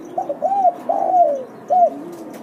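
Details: Spotted dove cooing in a lure recording used to spur doves into calling: stuttered short coos lead into a long, downward-sagging croon, followed after a pause by a single rounded coo; faint ticking in the background.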